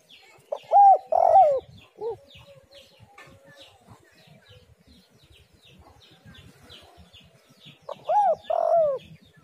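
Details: Spotted dove coo used to prompt other doves to call: a double coo phrase, a short lower note, a long quiet gap with faint chirps, then the two-part coo repeated.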